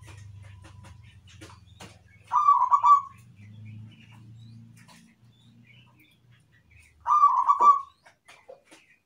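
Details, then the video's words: Zebra dove song: two quick phrases of rolling, stuttering coos about five seconds apart, with a faint low hum and scattered soft clicks in between. "PERKUTUT IRAMA - GACOR"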